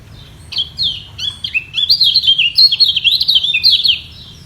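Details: Kecial kuning, the lemon-bellied white-eye, singing to secure its top position against a rival. A few separate chirps open into a fast, rolling warble of high slurred notes for about three seconds.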